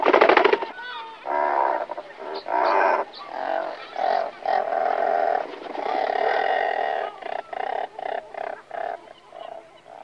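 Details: Several razorbills calling near their nests before taking off: deep, drawn-out growling calls overlapping in a steady run of grunts and creaky moans, with a sharp burst of noise at the start.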